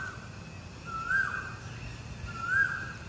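Oriental magpie-robin giving two clear, slightly rising whistles about a second and a half apart, over a low steady rumble.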